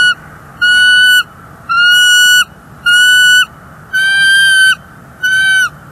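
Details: Female bald eagle on a northeast Florida nest, 30 January 2024, voicing displeasure at an intruder eagle nearby: five steady, drawn-out whistled notes, each about half a second long, evenly spaced roughly once a second, over a low constant hum.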